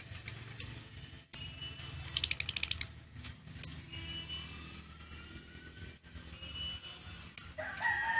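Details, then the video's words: A lovebird in Indonesia gives sharp, shrill chirps spaced a few seconds apart and one quick rattling burst of about eight notes, its chattering 'ngekek' call, over a low hum. "burung Lovebird indonesia,suaranya ngekek abis"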